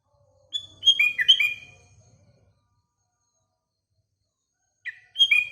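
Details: Sooty-headed bulbul in morning song amid surrounding birds: a rollicking whistled phrase of several descending notes over a faint low hum, a long quiet gap, then the start of another bubbly phrase.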